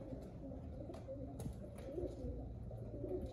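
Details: Pigeons cooing: soft, low, throaty burbling coos running almost continuously through the clip, over a steady low rumble and a few faint clicks and taps.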